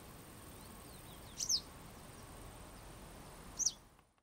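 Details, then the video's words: Western yellow wagtail calling twice, about two seconds apart. Each call is a short, high, thin note that slurs downward, with faint softer chirps before the first call and a low steady background hiss. "Желтая трясогузка - Yellow wagtail"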